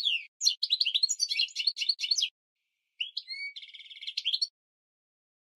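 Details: Goldfinch mule singing as a training song for canaries and goldfinches: a fast jumble of high twittered notes, a pause, then a rising whistle leading into a rapid buzzy trill.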